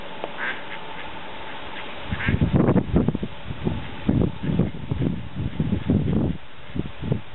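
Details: Mallards on a village duck pond with a dozen new ducklings: a run of low, harsh, broad quacking bursts begins after two seconds and repeats unevenly to the end, over steady background noise.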